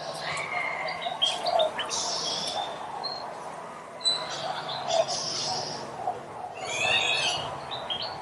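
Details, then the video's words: Several birds chirp and twitter over one another in a busy chorus, with quick high notes, short trills and brief whistled phrases over a soft steady background hiss. "Birds Chirping"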